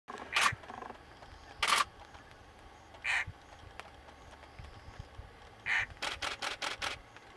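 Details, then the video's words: Lilac-breasted roller calling its mate during a September 2016 game drive in Masai Mara, Kenya: loud, harsh rasping squawks spaced about a second apart, ending in a quick run of five or six grating notes over faint background hiss. "Lilac Roller with sound"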